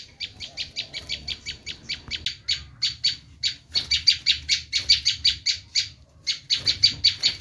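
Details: Bar-winged prinia in screaming mode, used as a lure for wild prinias: loud, continuous series of grating high notes, briskly repeated, broken by a couple of brief gaps.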